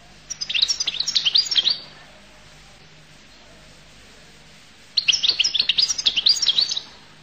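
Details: Collo goldfinch singing two bursts of rapid, high tinkling twitters and chirps, each about one and a half seconds, separated by a three-second pause; quiet background.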